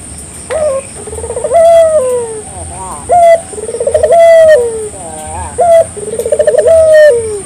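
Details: Local collared dove calling vigorously, used as a lure so other doves answer: rolling, pulsed coos that swell, then hold a long falling note, with phrases about every two and a half seconds over a faint steady electronic hum.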